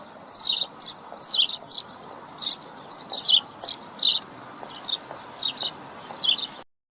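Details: House sparrow (Passer domesticus), a small grey bird that hops about yards gathering crumbs, gives bright, high chirps in short clustered bursts, roughly one or two each second, over a faint background hiss.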